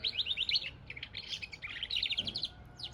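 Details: Hybrid of goldfinch and canary delivering dense, rapid twittering phrases of bright high notes, with a short dip mid-phrase before the chatter resumes.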